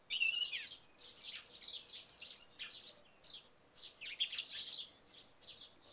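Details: Early morning after overnight rain, a song thrush sings short, sharp phrases of high whistled and chirped notes, some with clear tonal slurs, separated by brief pauses, while sparrows chirp in the background.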